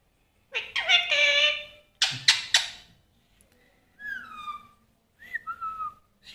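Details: A pet Indian ringneck (rose-ringed parakeet), a talking parrot, gives a harsh, buzzy chatter and a few sharp squawks, then clear whistles that slide downward, each about a second long.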